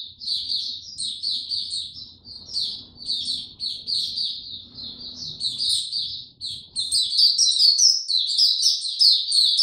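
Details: Caged white-eye singing, recorded 29 April 2022 with no health supplements given, in a low-energy state: a long, rapid stream of high, sharp twittering notes and trills, rising in intensity toward the end.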